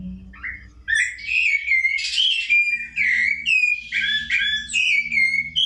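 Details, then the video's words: Rufous-bellied Thrush song: a continuous run of clear, varied whistled phrases, rich and warbling, sliding between mid and high pitches, with a faint low hum beneath. "Olha o gorjeio desse sabiá."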